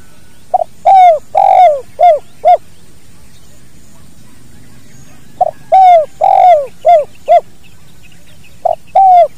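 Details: Spotted dove, kuk dua style, recorded naturally to train other birds: three coo phrases, each a short lead-in, long burry coos and quick arched coos, with pauses of a few seconds between.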